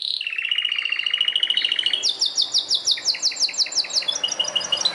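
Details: Belgian canary song opening with a steady, even mid-pitched trill for two seconds, then switching to a high series of rapid falling sweeps with softer echoing notes below.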